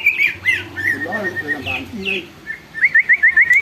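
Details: Greater green leafbird singing, kept bird set off to sing and get excited by another leafbird: clear whistled slurs and a closing series of quick rising notes, with a man talking low beneath.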